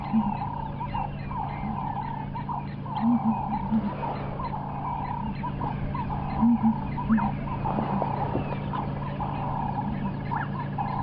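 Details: A feeding pair of Southern Ground Hornbills, in the distance, trade deep, soft booming contact calls in clusters of two or three on a sunrise safari drive, 22 November 2015, over engine hum and faint other birds.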